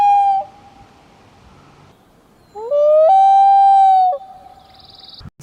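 Common Loon giving a long, mournful, howl-like note that slides upward, then holds steady for over a second before dropping away. Clean and clear.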